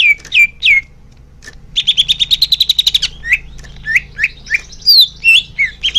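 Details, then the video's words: Song of a greater green leafbird, used to prompt caged birds to sing: a few downslurred whistles, then a long rapid trill of repeated notes, followed by varied swooping whistled notes. "Suara Cucak Hijau Biar cepat gancor"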